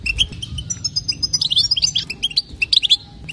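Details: Female European goldfinch, batbata call used to prompt males to sing: a few spaced chirps, then a quickening burst of bright tinkling notes from the middle onward, over a soft low background rumble.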